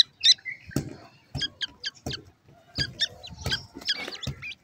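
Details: Captive-raised painted francolin (dakhni teetar) chicks being fed: thin, high peeps and chirps in quick irregular bursts, mixed with soft knocking thumps.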